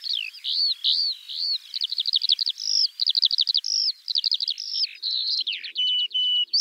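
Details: Male Eurasian skylark in song, a high, bubbling run of looping whistles broken by quick rattling trills and buzzy stutters, the stream never stopping.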